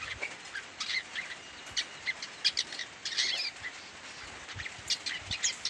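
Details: Juvenile long-tailed shrike practising its song: soft, halting chirps and short twittery notes at uneven intervals, with no settled phrase, set against constant hiss and faint low thumps.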